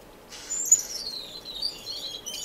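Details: A finch in an indoor community aviary in Edmonton, Canada, non-breeding birds filmed March 2015, gives a thin high whistle sliding slowly downward, with faint soft chirps after it.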